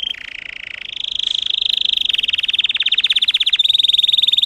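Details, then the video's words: Russian canary bred for singing, its song made of 10-15 high tone variations, here a long high tone sliding up into a rapid, even rolling trill that grows louder. "Red trees Canary Singing"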